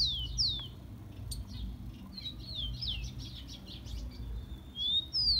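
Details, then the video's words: Rufous-collared sparrow (tico-tico) singing to warm up captive birds: a falling whistled note opens, a busy patch of softer high chirps follows, and a level whistle plus a downslurred note end it. "CANTO DO TICO TICO MELHOR ESQUENTA DE TICO TICO PRA FOGUEAR ESQUENTAR SEU TICO TICO"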